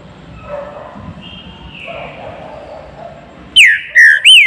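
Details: Low background noise, then a Green-winged saltator in a flight cage begins its baruc song with three strong whistled notes slurring downward near the end.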